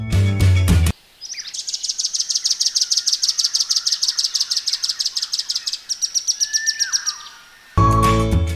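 Velvet-fronted Nuthatch giving a fast run of sharp, high chit notes, about three a second, for several seconds. A lower slurred note follows, with brief music before and after.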